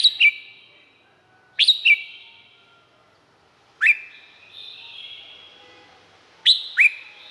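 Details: Red-whiskered bulbul song from Thailand, meant for playing to excite birds: short bright whistled phrases of two or three rising-falling notes, repeated every two to three seconds, each trailing into a long ringing echo.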